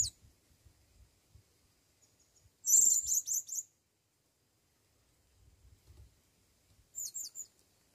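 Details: Blue-crowned hanging parrot, taken to the forest for the first time, calling for a female: a thin high squeak, then a loud burst of rapid shrill chattering, and later a shorter high twittering phrase amid near silence.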